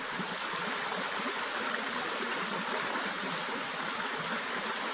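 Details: Steady rushing water like a stream or small waterfall, with a constant broad hiss and no animal voices.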